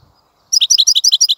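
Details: A brief, even series of about eight bright chirped notes from a European goldfinch, given in quick regular succession after a moment of silence.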